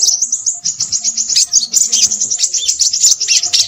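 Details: Crimson sunbird giving a busy stream of high, sweet chips, about four notes a second and unevenly spaced. Short thin trills are mixed in, and faint low background sounds can be heard.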